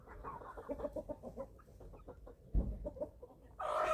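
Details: Eleven-week-old chicks eating on a family farm in Germany, a steady patter of low clucks, a thud midway, then a louder harmonic call at the end.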